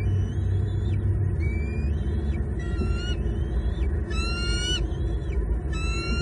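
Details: Wild bald eagles at a Southwest Florida nest on 22 February 2022, picked up by a live nest camera as the female feeds fish brought by the male to two growing chicks: thin high whistled chirps, some rising and sliding, over constant low wind rumble.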